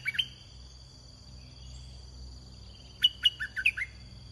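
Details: During a bird-luring session, a red-whiskered bulbul gives a brief clipped note, a pause, then a quick run of six sharp whistled notes that step downward, with a constant high tone and low rumble behind.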